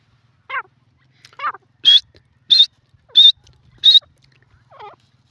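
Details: Grey francolin, locally called teetar, calling: two lower descending notes, then four loud, bright, high notes repeated about every 0.65 seconds, and a softer trailing note; quiet background.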